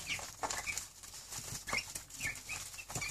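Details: Two-week-old Cornish Cross chicks, hungry and rushing toward their keeper in the morning: short, faint high peeps scattered through the clip, with rustling and wing flapping throughout.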